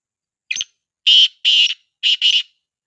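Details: A single black partridge's rasping call, offered as training audio to get a silent partridge to call: a short note, two long harsh buzzy notes, then a fast doubled pair, crisp against silence.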